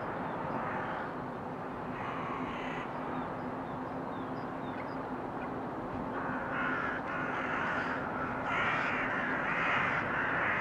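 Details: February 2023 crows, a couple of harsh caws early, a pause, then a loud run of rasping caws from about six seconds on, over a continuous low hum.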